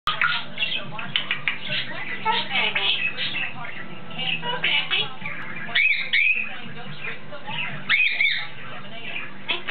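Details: A pet female African grey parrot perched on top of her cage, talking down to a person below. She says her name, "gimme kiss" and other words. Murmured speech-like phrases end with a couple of rising whistles. A steady background hum runs throughout.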